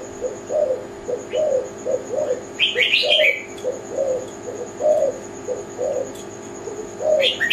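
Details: Zebra dove (tekukur Kelantan) gives low, trilled coo notes in an uneven run. Bright chirping bursts from other small birds occur around the third second and near the end, with a faint steady high hum.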